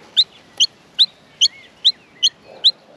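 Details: Hungry Australian miner chicks in the nest at feeding time, uttering seven crisp, high, evenly spaced chirps at a quick steady pace of more than two per second.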